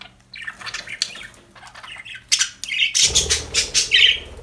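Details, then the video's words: Happy budgerigars in busy chatter: rapid scratchy squawks and warbled chirps tumbling over one another, growing louder and denser in the second half, with rustling. "Happy budgies chirping sound"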